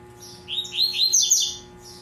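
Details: Double-collared Seedeater in captivity, tui tui style, singing a quick series of buzzy, rising notes that climb to higher piercing whistles before stopping.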